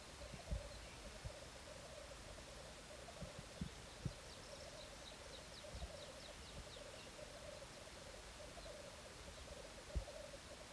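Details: Courtship display of black grouse, filmed in 2014. A low, rolling bubbling chorus goes on without a break, mixed with scattered thuds and a brief series of faint, high, rapid clicking notes midway.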